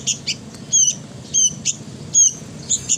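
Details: Sooty-headed bulbul chick: high, thin, chirping calls in quick short bursts, some sharp and squeaky, repeated about every half second over a low background rumble.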